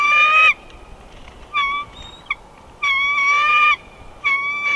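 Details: At the Big Bear Valley nest on 24 February 2021, as an immature bald eagle intruder buzzes the nest, a bald eagle gives loud, squealing, slightly rising calls in half-second bursts, about four in five seconds, with softer single notes between.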